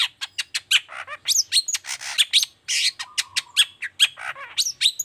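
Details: Lively long-tailed shrike song in 'toet toet' style, used to draw song from silent shrikes; hurried mix of harsh squawks, short chirps and high whistled slurs, including a steady buzzy hum for about half a second.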